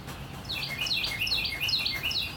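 A northern cardinal sings a quick series of clear, whistled notes that slur downward, several each second, over a soft, steady hiss of rain.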